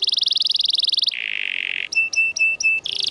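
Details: Canary masteran song, a vigorous training recording used as filling material for canaries that have stopped singing: a fast high buzzy trill, then a lower steady rolling trill, then four spaced sharp chips with a thin top note, ending in a rapid trill.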